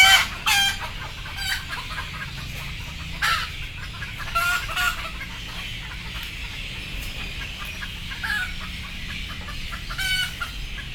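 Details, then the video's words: Sleepy chickens, frightened as they wait to go on board, give occasional harsh squawks, loudest at the start, then quieter scattered clucks over steady background hum. "Sound of sleepy Chicken"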